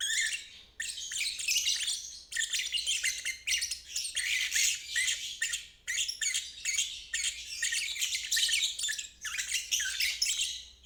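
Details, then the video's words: Lovebird 'ngeriwik' trill, used as training for stalled or young birds. Long stretches of harsh, squawky, rapid chatter broken by brief pauses every one to two seconds, loud and dense throughout. "Terapi Lovebird ngeriwik"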